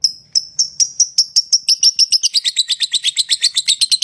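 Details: Lovebird chirping in a rapid series of sharp high notes, starting spaced and accelerating into a steady fast chatter of about five or six chirps per second.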